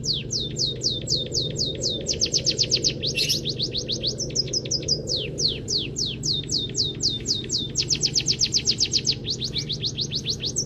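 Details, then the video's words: Munia (peking emprit kaji) kept as a songbird, singing a practice song filled with canary phrases: rapid runs of high, steeply falling whistled sweeps, repeated many times a second in bursts, over a steady low hum. "Masteran Burung Peking Emprit Kaji Gacor ❗❗Isian full Kenari"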